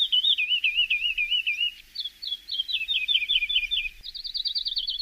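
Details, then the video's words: Song of a Javan bush lark (branjangan) for training untrained birds: fast wavy trills, a brief pause, a series of clipped notes, then a tight rapid rattle, with light background hiss. "Masteran Branjangan!!"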